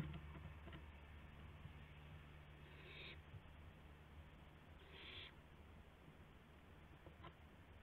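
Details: Owl at night during a gopher delivery, April 7 2016, 12:25 AM: two soft raspy hisses about two seconds apart, over a steady low hum and light clicks.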